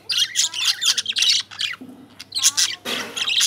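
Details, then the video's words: Busy lovebird chirping: clusters of sharp, raspy high notes come in quick bursts, broken by short gaps and occasional broader rough squawks. "Love Birds Chirping"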